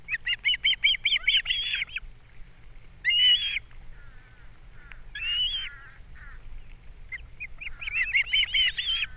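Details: Osprey on a Captiva nest during an April breakfast fish delivery and chick feeding; a rapid series of shrill chirps, scattered squealing calls, then another rising run of piercing chirps.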